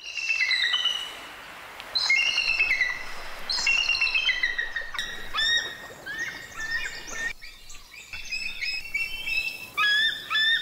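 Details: Bald eagle giving repeated runs of shrill, piping chirps that slide downward, followed by a busier stretch of overlapping squeaky, stuttering notes; steady outdoor background hiss.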